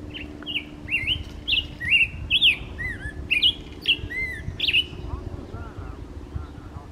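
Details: Black-headed grosbeak singing at Dungeness County Park on 6 June 2024: a rich, rolling warble of sweet rising and falling whistled phrases in a steady stream over a faint low hum.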